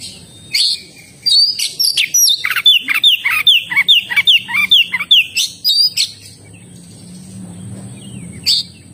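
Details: Vigorous oriental magpie-robin song, a fast series of about a dozen bright whistled notes, each sliding downward, delivered rhythmically after a few sharp chirps, then fading to near silence with one last faint note and a steady high hiss.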